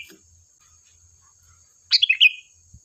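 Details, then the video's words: Sooty-headed bulbul in lively song, played to lure other bulbuls to reply: one quick bubbly phrase of three or four bright notes slurring downward, over a steady thin high whine and faint low hum. "Suara burung Kutilang Gacor"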